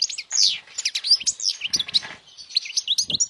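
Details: Short burst of strong European goldfinch song for young birds to memorize: rapid, high, bouncing chirps and twittered notes tumbling over each other without pause.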